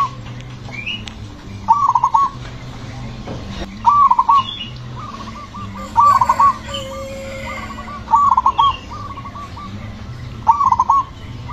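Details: Loud zebra dove song whose rhythm is said to draw other doves into singing: short bubbly coos every two seconds, overlapped by fainter trailing coo series from other doves, with low hum beneath.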